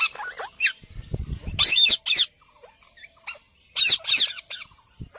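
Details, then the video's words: Parrot making sounds: a few loud, harsh, broadband squawks in two bursts, around the second and fourth seconds, with thin whistled notes and a steady high tone in between, plus low thumping at the start. "Parrot talking And Making sounds"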